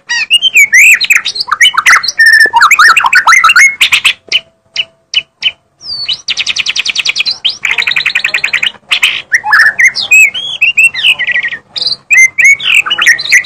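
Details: Energetic magpie-robin song mixing clear rising whistles, scratchy chatter and long rapid trilled buzzes, broken by short sharp ticking notes and brief gaps.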